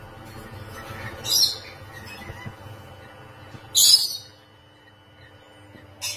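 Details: Rainbow lorikeet caged while mating gives brief, harsh, shrill squawks, three bursts spread over six seconds, with faint low hum in between.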